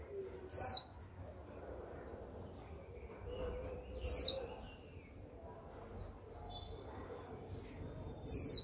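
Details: Young female Japanese white-eye, kept as a cagebird, calling to stir males into song: three thin, high, downward-slurred whistles spaced about four seconds apart, with faint low background hum between them.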